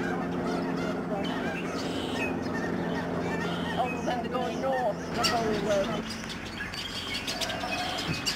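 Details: Large flocks of snow geese flying at Alaksen National Wildlife Area, Delta, British Columbia, 24 March 2011: overlapping honks from many geese, with a brief burst of louder, broader noise midway through.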